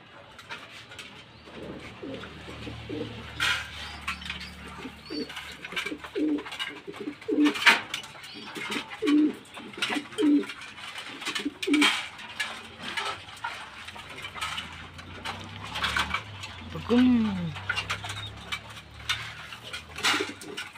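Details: Pigeons of various breeds at a pigeon farm give low, throaty coos over a busy background of clatter and scattered chirps.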